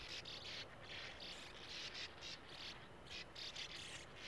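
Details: Sand martins at a breeding colony in a small earth mound with a steep wall at a gravel-pit lake, young waiting at burrow entrances: dense, dry, buzzy chattering bursts, overlapping and repeated several times a second.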